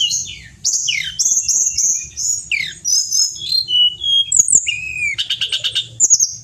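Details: Training recording of the Pied bushchat (Tledekan Gunung) in full gacor song: tumbling high downslurred notes and rich warbles, a run of level whistles, then a rapid rattling series of chips.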